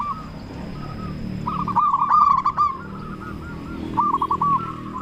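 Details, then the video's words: Local zebra dove with a big voice, singing to provoke other doves to reply: faint coos at first, then a loud rolling trill of quick arched notes, a pause, and another short cooing run. "Perkutut Lokal Gacor Suara Besar Pancingan Burung Perkutut Bikin Langsung Nyaut"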